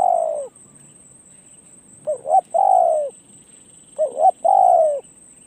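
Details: Spotted dove brought out to gain perch experience for decoy luring, giving deep, smooth coos: a long falling note, then two paired phrases of a short hiccuping double note and a drawn-out coo. A thin, constant high whine persists.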